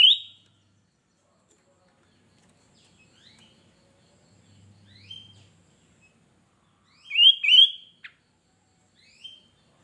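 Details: Sooty-headed bulbul, a captive male, opens with a loud whistled note, adds scattered soft chirps, then a strong paired bubbling phrase near the seventh second and a final quiet whistle.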